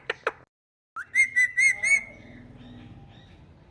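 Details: Talking Indian ringneck parakeet: two quick clicks, a pause, then a series of four bright, high whistled notes run together into one sustained whistle that fades into soft indoor background noise.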